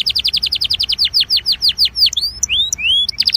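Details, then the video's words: Belgian canary song used to warm up other canaries: fast rows of high, downward-sweeping notes repeated in quick tours, slowing into longer falling glides, then separate rising whistles and a final rapid trill. "INCARTE para esquentar canario belga"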